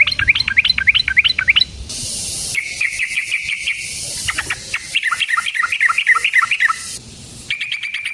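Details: Yellow-vented bulbul in lively, energetic full song of the kind used as a lure to provoke other bulbuls into singing: quick rising whistled notes, then rolling bubbly trills and chattering phrases in spliced bursts, with a brief hiss between.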